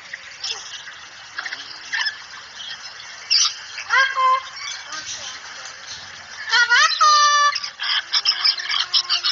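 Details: Cockatoo talking "assalamualaikum" in masteran style: scattered soft chatter, then two strong rasping, harmonic voiced bursts around the middle and near the end, over a faint hissy background.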